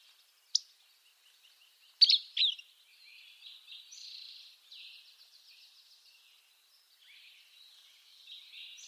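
A Buff-breasted Flycatcher gives a sharp, high snapped note, then a quick burst of two or three clipped chips, followed by faint, soft buzzy twittering.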